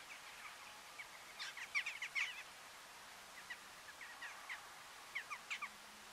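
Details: Eurasian jackdaws (Corvus monedula) at Uitkerkse Polder, Belgium, in December 2013, give short, sharp 'chak' calls: two quick bursts of four or five notes among scattered single calls, with faint outdoor background noise.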